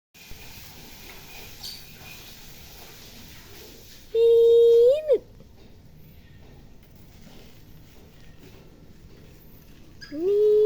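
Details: Tame Sirpu bird kept at home, which calls near people. Two loud, steady, low tonal notes with strong overtones, each ending in a quick upward bend. They come about six seconds apart over quiet indoor background.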